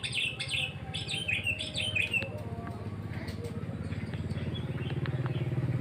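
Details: Sooty-headed bulbul giving a two-second series of sharp descending chirps, then only a rising, pulsing low engine-like drone.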